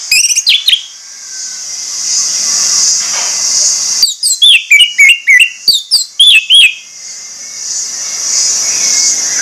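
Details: An Orange-headed Thrush, used as lure audio to provoke other birds, gives loud, varied whistled phrases: a brief opening flourish, then a quick run of about ten sharp, ringing notes, over a steady high hiss.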